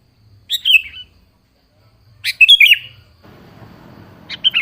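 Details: Sooty-headed bulbul phrases meant to lure a seldom-vocal bird into answering: three bubbly, up-and-down warbles about two seconds apart, with a soft hiss rising in the background toward the end.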